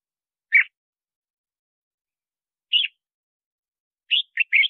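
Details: Red-whiskered bulbul song used to lure wild birds and train singing: sparse, somewhat quieter whistled notes spaced seconds apart, then a brief cluster of three slurred notes at the end.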